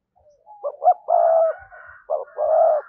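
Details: Spotted dove coo meant to attract wild doves: a phrase of two short notes and a long level coo, then another short note and sustained coo, with a faint higher tone in the background.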